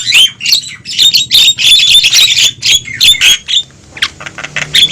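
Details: Javan myna (jalak kebo) lure recording of noisy calls, used to draw wild mynas toward a trap: dense harsh squawks and chattering notes crowding the first three and a half seconds, then sparser scratchy bursts.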